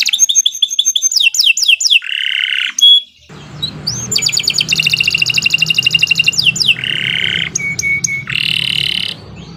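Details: Canary singing a long, loud training song: quick descending chip series, a buzzy nasal note, then fast rolling high trills alternating with short harsh buzzes, low background hum beneath.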